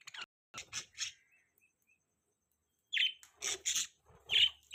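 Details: Budgies chirping in two bursts: a few quick scratchy notes, a near-silent gap with faint tones, then louder bright chirps and buzzy chatter.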